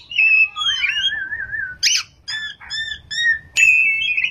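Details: Oriental magpie-robin in full song, delivering a 'ngerol' rolling style with 'nembak' shooting notes: clear whistled notes, a long wavering trill, and short repeated stacked phrases ending in a sharp, high whistle.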